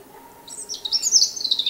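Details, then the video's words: A European robin (Erithacus rubecula) gives a brief burst of very high, thin, twittering song with quick tumbling notes, over a faint low hum. "Как поет зарянка (малиновка)"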